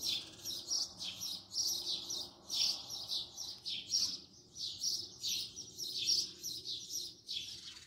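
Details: House sparrow filmed close up, uttering a continuous string of rapid, bright chirps, several per second, with little background noise.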